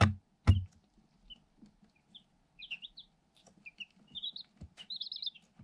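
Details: One-day-old Light Sussex chicks, eight incubator-hatched birds in a cardboard box; two loud taps open, then scattered high peeps building to quick trilled cheeps over faint rustling.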